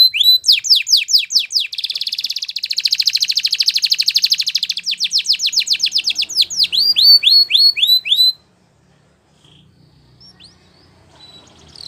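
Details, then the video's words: Belgian canary song for training, beginning with rapid downslurred whistles, swelling into a dense buzzy roll, then crisp hooked notes in quick series before the bird stops and near silence follows. "Belgian Canaries Sing With Melodies That Are Pleasant To Listen To!!"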